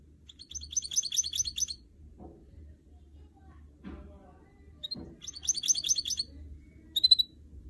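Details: Goldfinch mule, a canary crossed with a goldfinch, kept as a cage bird, giving two short bursts of bright, fast twittering with a few soft knocks and a clear single note at the end.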